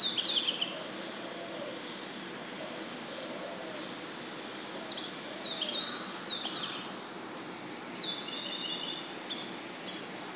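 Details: Oriental magpie-robin singing before dawn at 04:52 on 7 June, a new song with two sets of phrases: clear, high whistled phrases with sharp slurs and trills in bursts, over steady background hiss and faint lower arched notes.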